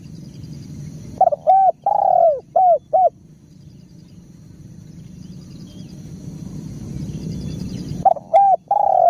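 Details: Spotted dove calling in bursts of short, mellow, falling coos, a cluster of four or five notes, then a pause of about five seconds before the phrase begins again; faint insect hiss and low background hum.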